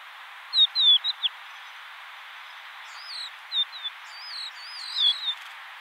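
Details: Crested lark song in bursts: quick whistled notes that dip and slide, a pause, then more fluid rising-and-falling whistles, all over a continuous background hiss.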